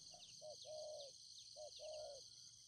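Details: Spotted dove used as a decoy in Ninh Thuận, Vietnam, cooing softly to draw in wild doves. Short note, then a longer level coo, repeated twice, partly masked by loud chirping crickets and insect drone.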